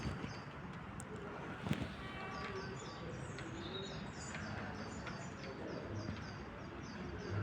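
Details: Wild birds singing near the Gdańsk Politechnika SKM commuter rail station in Poland, recorded 27 February 2024: faint, repeated high chirps and short twittering phrases over steady low traffic and urban rumble, with a brief thud.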